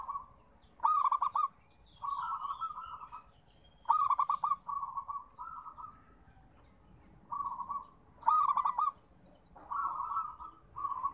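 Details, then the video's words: Zebra dove of local stock cooing in a therapy recording meant to prompt quiet birds to sing; stuttering, trilled coo phrases alternate with softer rolling notes, repeated roughly every two seconds over a faint background hum. "Suara Terapi Perkutut"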